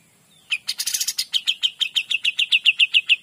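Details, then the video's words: Cream-vented bulbul (kapas tembak) launching a 'gacor dor' phrase: a rough, noisy flurry, then crisp repeated notes at a steady, quick pace, about six a second. "KAPAS TEMBAK GACOR DOR"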